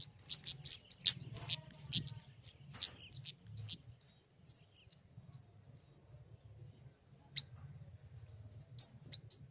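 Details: Flowerpecker in a busy burst of very high, squeaky, tumbling notes. It pauses briefly, then resumes the thin, rapid twittering, with a faint low hum beneath.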